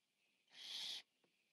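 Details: Barn Owl owlet, biggest of the brood, feeding on 14 September 2015. One rough hiss of about half a second swells and then stops abruptly, followed by a brief click.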